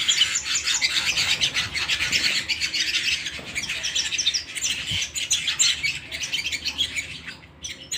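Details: Domestic canary song at home, a continuous stream of fast, bright trills and twittering notes, steady and loud throughout, ending in a short pause.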